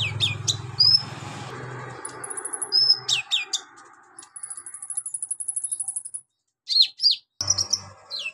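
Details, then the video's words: Van Hasselt's sunbird (kolibri ninja) delivering tutor song with mimicry of golden grasshopper, lovebird, cricket and cililin: high sweeping chirps, thin very high buzzy trills of many rapid notes, and sharp squeaks, over a low droning hum. "KONIN GACOR NGOBRA ISIAN BELALANG EMAS LOVEBIRD CILILIN BUAT MASTERAN"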